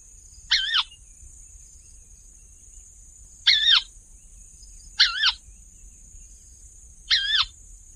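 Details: Wetland crake, brown above and pale gray below with a small black eye mask bordered by two white stripes, living among floating plants and standing stems; four short raspy harsh notes, each with a wavering pitch, spaced about one to three seconds apart, over a quiet background with a steady high hiss.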